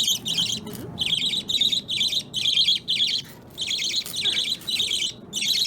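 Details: Several pet baby budgerigars, an opaline violet, a yellow lutino and a green opaline, kept together and playing with a chain indoors; rapid buzzy chirp bursts in quick runs with brief gaps, chattering steadily.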